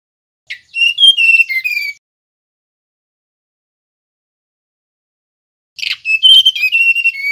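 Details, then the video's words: Male mangrove blue flycatcher (tledekan bakau) whistling: two short phrases of clear, sweet whistled notes, each phrase about one and a half seconds, stepping downward, separated by long silence. "Suara tledekan bakau jantan nyiul"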